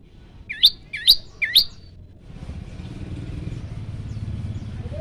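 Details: Prinia, locally prenjak lumut, singing in the 'tembakan variasi' style: three sharp, upswept, high chirps in quick succession, then the song stops and a passing engine rumble fills the rest.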